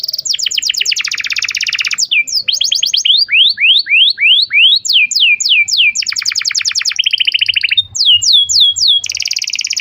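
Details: Young-canary training lure of Atlantic canary song, a long run of tour changes: a buzzy roll, then rising slurred whistles repeated about three times a second, then down-slurred notes and fast trills.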